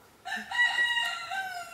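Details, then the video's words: On a farm with dogs, goats and sheep being let out, a rooster gives a loud, harsh crow lasting about a second and a half, a drawn-out, slightly falling cry rich in overtones. "Et on entend le coq aussi."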